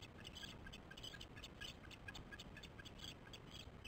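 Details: Osprey chicks at a nest, recorded on a July morning: faint, thin, high peeping notes repeated in quick clusters over a steady background hiss.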